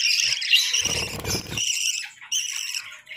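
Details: Budgerigars kept for breeding in the chilly season chirp and warble busily, interrupted by a short burst of low rumbling noise before the high chatter resumes.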